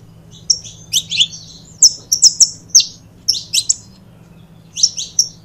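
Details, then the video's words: Paired saffron finches utter scattered bursts of piercing, downward-sliding chips, grouped two or three at a time with short gaps between, over a soft background hum. "Casal de Canário da Terra Bom Para Foguear"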